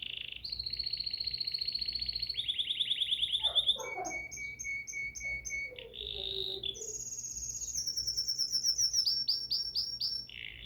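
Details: Bulbul singing varied phrases. Rapid trills and ticking notes are repeated at several pitches, with a falling sweep midway and sharp high chips near the end.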